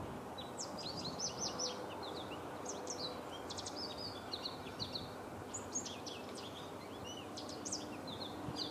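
American goldfinch twittering in quick, bright chips and short slurred notes, scattered irregularly throughout, over a steady hiss of outdoor background noise.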